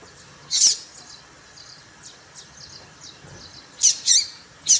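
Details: Female papa-capim (seedeater) call for provoking males: one loud high buzzy chirp, then faint twittering, then a quick burst of three sharp chirps near the end.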